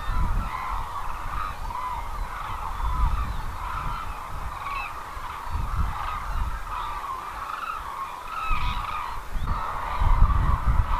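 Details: Cranes crowding the Izumi wintering grounds, Kagoshima Prefecture, Japan, produce a busy chorus of rapid, overlapping honking and bugling calls, several clearer rising notes heard, plus bursts of low wind noise.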